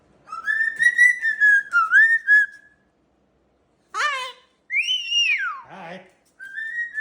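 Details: Indoor pet sulphur-crested cockatoo during blow-drying with air filters running: pulsed whistling phrases, then short sweeping calls and a rising then falling whistle, with quiet gaps between.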